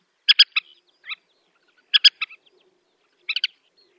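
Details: Black-winged pratincole (Glareola nordmanni) calling in flight over the Astrakhan steppe, Russia, April 2017: sharp, clipped chattering notes in quick bursts of three or four, repeated about every one and a half seconds.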